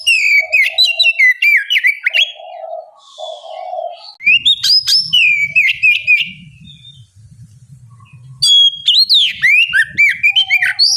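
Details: Oriental magpie-robin bait song used to prompt other birds: repeated bursts of loud whistles and sharp ticks, a soft low warble between, with low rumbling background noise through the middle.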